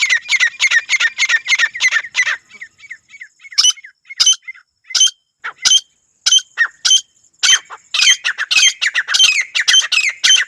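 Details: Grey francolin pair, male and female, in a dense run of harsh high calls that slows into spaced, ringing single notes with soft chattering between, then builds again into a loud rapid series.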